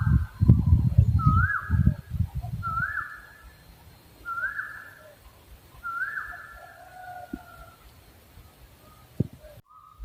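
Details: {'caption': 'Owl voicing four upward-sliding whistles, each trailing into a flat drawn note, with heavy low rumbling and knocks at the start, then quieter background and a sudden cut near the end.'}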